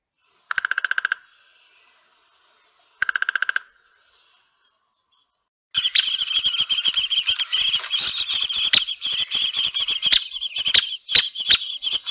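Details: Downy woodpecker on 20 February 2016 gives two quick rattling whinnies, each about half a second long, then a harsher, continuous buzzy chatter with sharp ticks for the last six seconds.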